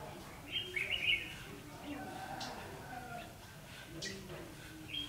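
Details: Red-whiskered bulbul recorded during a trapping session on 9 December 2015: a short burst of bright, warbling chirps around half a second to one second in, then a brief high note near the end, over low background murmur.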